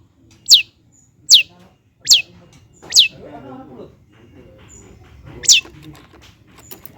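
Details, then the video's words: Long-tailed shrike (cendet) calls meant to goad a reluctant bird into song: sharp high descending notes repeated about every 0.8 seconds, a pause with low background noise, then one more note. "PANCINGAN CENDET MALAS BUNYI AGAR GACOR BONGKAR ISIAN"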